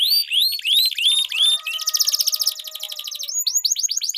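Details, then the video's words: Canary song used as a lure for training competition birds: repeated rising whistled slurs, then a dense buzzy rolling trill, ending with quick downward-curving chirps. "Duel Burung Kenari Suara Merdu Ngerol Panjang || Pancingan Ampuh Kenari Macet Gacor Ngerol Panjang"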